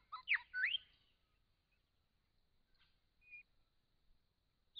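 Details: Wild Grey Shrike-thrush in regional Victoria, Australia, caught by camera trap: a quick pair of loud rich whistles sweeping steeply upward, then near silence with a faint short note and a soft trailing whistle.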